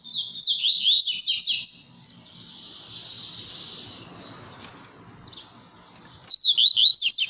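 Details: Captive blue-black grassquit in a song contest with seedeaters, giving a forceful tui tui zel zel seedeater-style song. A rapid run of high slurred notes for two seconds, a long quiet stretch with faint low rumble, then the song resumes.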